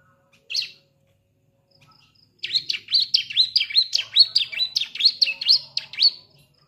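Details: Young Bar-winged Prinia just beginning to learn to sing gives one short chirp, then a quick run of about a dozen high, buzzy, chattering notes over four seconds.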